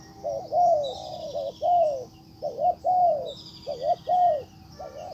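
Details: Decoy spotted dove calling toward a wild bird: clear, deep cooing, a quick double note followed by a longer drawn-out coo, repeated about every second, with faint high chirping birds behind.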